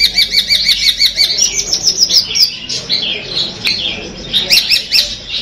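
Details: Caged Peterpan-type long-tailed shrike from Madura with Armagedon material: rhythmic high wavering chirps at first, blurring into slurred squeaky phrases and a final cluster of sharp notes.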